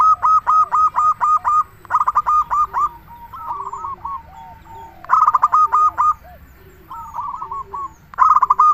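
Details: Zebra dove, a local bird in full song used as a lure for other doves: long runs of quick, evenly pulsed cooing notes repeated in phrases, with quieter replying coos and a steady low background hum.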